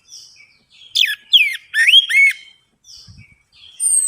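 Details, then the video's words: Lure song of an orange-headed thrush, played to get quiet birds singing: soft warbles, then a fast run of loud looping, swooping notes, a brief lull, and a thin downward whistle at the end. "DENGAN PANCINGAN ANIS MERAH AMPUH INI, ATASI SUSAH BUNYI ANIS MERAH"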